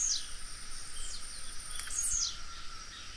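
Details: Blue-black grassquit song: thin high descending buzzy notes repeated about once a second over loud steady background noise.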